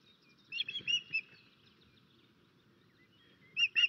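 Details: Nesting osprey in Estonia, 13 May 2024, calling in alarm as a crow attacks: a quick cluster of four piercing whistles early on, near silence for two seconds, then two more sharp notes at the end.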